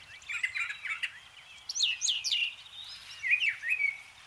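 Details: Mimicking song of a Brown Thrasher, a bird whose songs incorporate other species' sounds: a chattering run of notes, then a series of loud descending slurs and further varied warbled phrases, with slight environmental noise behind.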